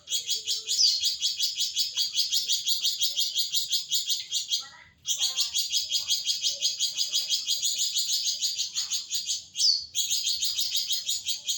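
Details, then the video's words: Flamboyan bird in prolonged chattering song, called nyecret panjang, trained on shama and greenbul mimicry. Fast high buzzy rattling pulses run steadily for about five seconds, break briefly with a short rising whistle, then resume. "Flamboyan nyecret panjang"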